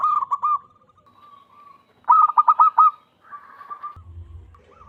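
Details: Loud wild local zebra dove used as a trapping lure: a few opening coo notes and a soft held tone, then a rapid pulsed trill, a softer trailing call and a low rumble at the end.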